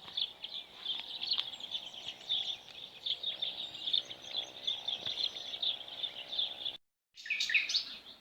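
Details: Sparrows chirping outdoors in nature, a continuous run of short high chirps over background noise, with a brief dropout near the end followed by more chirps.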